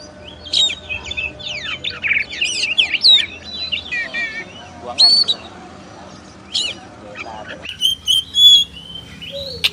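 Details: Kacer, the oriental magpie-robin, singing a rich medley of whistles, fast trills and rising slurs in scattered bursts, with a quiet stretch midway before sharp high notes return.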